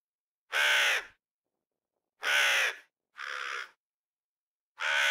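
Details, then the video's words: Four raucous crow caws in quick succession, the third one softer and shorter, with clean silence between the calls. "Sunete de ciori. Sunete de pasare cioara."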